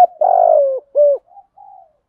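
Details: Spotted dove 'giọng thổ' lure call to excite a newly caught bird into cooing: one drawn-out husky coo dipping at the end, a short rounded note, then two soft, thin trailing notes.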